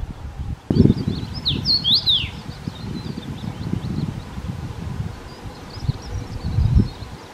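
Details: Common Rosefinch song: a brief run of clear, slurred whistles that rise and fall, bunched early, then a few faint high chirps, all over a heavy low rumble like wind or handling noise.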